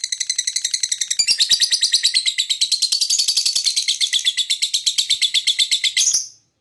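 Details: Lovebird giving a long run of chirps said to provoke other birds: dense, rapid, high-pitched chirping pulses repeated many times a second for about six seconds, rising in intensity after the first second, then ending abruptly.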